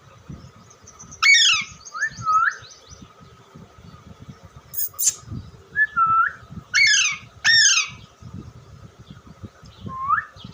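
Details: Parrot calling: about six harsh, harmonic squawks, some sliding up then down, spaced irregularly, plus a short buzzy burst, over a steady electrical hum and soft rustling noise.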